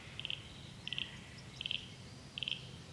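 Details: Grey fantail on the Illawarra Escarpment mountainside in Australia, out in the rain, fidgety and darting after insects: short clusters of three to four sharp high chips, repeated about every 0.7 seconds over a low background hum.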